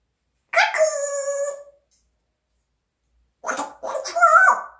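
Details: Parrot giving a drawn-out, hoarse, harmonic cry lasting about a second. After a silent gap come two rougher, louder bursts with a wavering pitch. No other sounds are heard.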